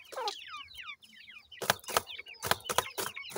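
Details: Grey francolin chicks feeding and playing: a quick run of clear, curved, falling peeps gives way to loud, regular pecking knocks, about four per second.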